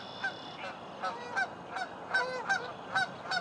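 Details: Virginia rails in a local park in the morning give a run of harsh, nasal, grunting notes, roughly three every second, over a soft background hiss.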